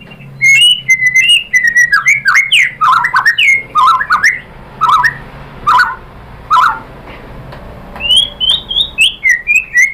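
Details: White-rumped shama lure song meant to provoke other shamas into answering: loud varied whistled phrases, sliding notes and rapid downslurred trills around the mid-high range, delivered in quick bursts with short pauses.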